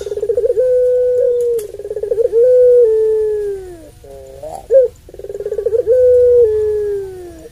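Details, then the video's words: Puter pelung dove, long-voiced Barbary dove, sounding its provoking long call: two rolled, drawn-out coos that waver then droop, separated by a sharp short note, with quiet background hum. "Puter Pelung Suara Panjang Ini"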